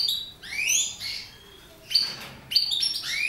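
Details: Mutation goldfinches giving clear, upslurred whistled notes, each rising steeply, spaced with quiet gaps, and a few sharp chips among them.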